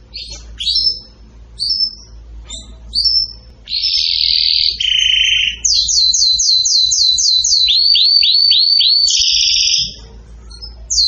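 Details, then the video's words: An excited canary sings a fast, varied song. Brief whistled notes give way to sustained buzzy tones, then rapid rolling trills of repeated downslurred notes, about four per second, ending in a steady high note. "تغريد كناري هائج"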